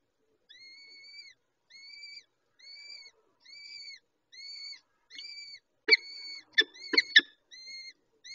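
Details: Peregrine falcon at feeding time: a series of clear, slightly arched, harmonic wailing calls, each under a second, repeated steadily, then sharp clicking and scraping noises with broken calls before the even wails return.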